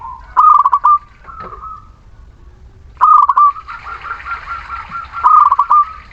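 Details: Muria local zebra dove singing as a lure for birds that will not sing. Two loud stuttering coo phrases, each ending in a sustained note, over quieter overlapping cooing and a soft hiss in the second half.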